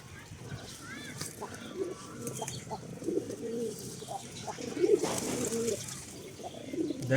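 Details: Farm pigeons gathering to eat wheat, including a flock with one female and two rival males: several overlapping deep rolling coos, a few higher chirps near the start, steady outdoor background noise.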